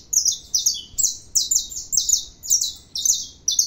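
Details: Saffron finch singing steadily: short bright high-pitched phrases of buzzy, slurred notes repeated about every half second, each burst sharp and clean over a quiet background.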